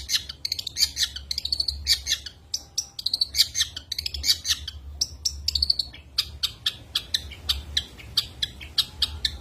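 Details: Long-tailed shrike in full-burst isian song, used to tutor or provoke contest birds. Rapid runs of sharp, clicky high notes and brief slurred whistles pour out almost without pause.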